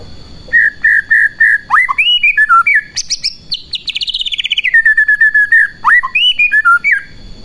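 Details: Singing white-rumped shama whose song is used to stir other shamas to sing: runs of repeated whistled notes, swooping rising phrases and a fast rattling trill in the middle, delivered continuously without pause, with a faint steady high tone behind.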